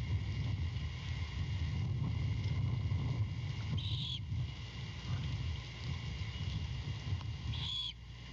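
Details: Great horned owl chick begging on a nest-support branch near Savannah at about 23:36, February 2022, as the mother returns with a rat; two harsh hissing screeches roughly four seconds apart over a low steady drone.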